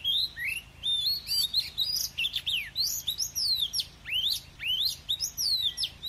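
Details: Oriental magpie-robin in "forest voice" song with "kéo thuốc lào" phrasing: varied bright whistles, steep downward swoops and rising slurs, and quick chirping trills, delivered in dense bursts with short gaps over six seconds.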